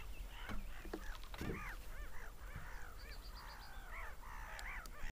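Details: Seagulls screaming: series of arched, yelping cries rise and fall in rapid succession from several birds, with a few knocks and thuds and a low rumble behind.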